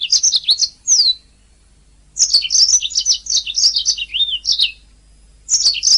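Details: Master song of a canary for teaching other songbirds: quick high warbling runs with slurred whistles and a fast trill, broken by a silent gap of about a second.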